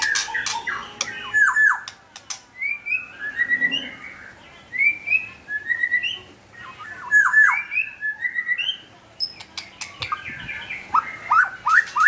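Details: White-rumped shama singing actively, a loud varied song of clear whistled phrases, slurred and rising notes mixed with sharp high chips and short rattles, delivered in bursts separated by brief pauses.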